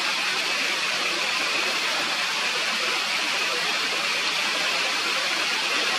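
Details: A mountain stream rushes with an even broadband roar from start to end, and no calls are heard.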